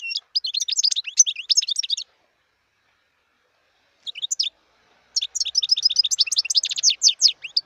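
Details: Song of a wild European goldfinch: a two-second burst of jangling, twittering notes, a long silence broken by a short chirp, then a sustained stretch of rapid tinkling twitters; no other noise.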